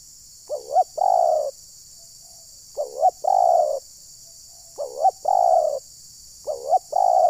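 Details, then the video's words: Decoy terkukur, the spotted dove, luring wild birds in Ujung Batu, Rokan Hulu, Indonesia; a phrase of two quick wavering notes and a long mellow coo repeats four times, roughly every two seconds. "Pukul Pikat, Burung Liar Terlalu Emosi Dengar Bunyi Pikat ini."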